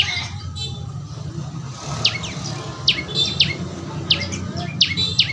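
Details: A young prinia, prenjak lumut, calling: after a quieter start, sharp high falling chirps come in pairs every half second or so, over a low background rumble.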